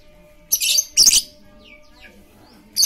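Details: Lovebird chatter played as a lure to get quiet lovebirds singing: short harsh, noisy bursts of high chirping around half a second and one second, a few faint thin whistled notes between, and another burst at the end.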